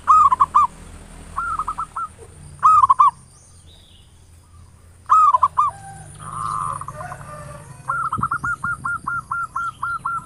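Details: Zebra dove lure recording meant to stir local doves into singing, ngayer nulop style: short rolling coo phrases repeated every couple of seconds, a quieter gap, then a long run of about ten clipped cooing notes, with a constant thin high tone behind.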